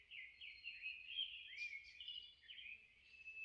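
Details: Birds singing on a rainy June morning in a Korean cypress forest, 15 June 2021: thin whistled phrases and warbling notes around the upper-middle range, overlapping continuously, over a low steady background hum.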